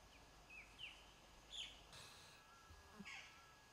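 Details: Long-tailed broadbill on a walnut tree at a Himalayan sanctuary in nesting season, male carrying twigs, giving about five thin, high, sharp, slightly slurred notes at irregular intervals over faint rustling. A Himalayan barbet may also be calling.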